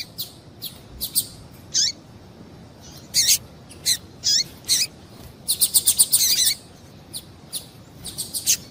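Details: Female double-collared seedeater calling to stimulate a male: a sequence of sharp high chirps, several ending in falling sweeps, then a fast rattling cluster of notes near the end, all over light steady hiss.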